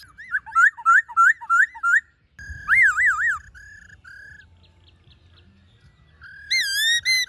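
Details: Black-throated laughingthrush forest-style song, used to stimulate and train caged wild-caught birds to sing. Loud, mellow wavering whistles in quick repeated phrases, then a long undulating warble, a pause and more rising whistles, over a low rumbling background.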